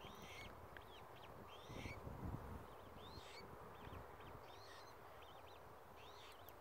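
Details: Australasian swamphen chicks at Tamar Island Wetlands, 26 October 2018, give thin, high, arched peeps, several a second in loose runs, over a steady low rumble of wind or distant traffic.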